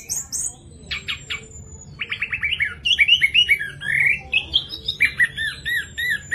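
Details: Orange-headed thrush song used to spur other thrushes into singing: a rich varied phrase of rapid stuttered notes, then whistled slurred syllables rising and falling around mid pitch, with a faint high thin tone early on.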